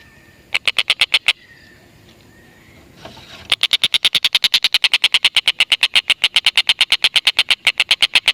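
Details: Black-and-red broadbill used to lure lovebirds into calling; a short burst of harsh notes, a quiet gap of about two seconds, then a long, fast, even chatter to the end.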